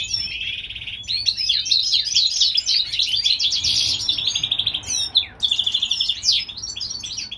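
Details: In California in spring, a European goldfinch hybrid delivers a continuous high, liquid twitter mixing sharp trills, rising whistled slurs and buzzy rattles.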